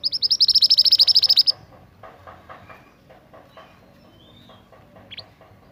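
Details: Young forest scarlet minivet, a red, black and yellow bird, in full song: a fast burst of about fourteen high, clipped notes in the first second and a half, then a quieter run of lower chirps and one sharp upslurred note.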